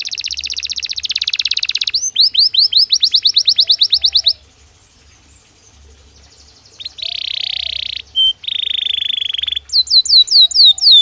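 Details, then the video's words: Belgian canary singing naturally as a training stimulus: varied song of fast rolling trills and repeated sweeping whistled notes, a quiet gap mid-phrase, then dense buzzy rolls and bright rising slurs. "Canario Belga Cantando Naturalmente"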